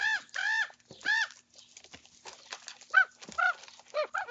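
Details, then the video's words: Young common ravens squabbling over their breakfast; harsh, nasal arched squawks in pairs, then a few shorter rising croaks spaced about half a second apart. "Sound on for breakfast noises"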